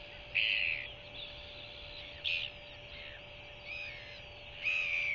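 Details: Royal albatross hatchling in New Zealand, still with its yolk sac, begging for food from its mother at night-time feeding: scattered short piping notes, some faint, under a constant low hum.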